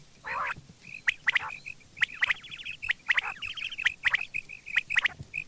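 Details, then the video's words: Quail in the morning: a harsh nasal squawk at the start, then clipped chirps and a short rattling trill repeated at uneven intervals over a low background hum. "batair Subha ki awaz"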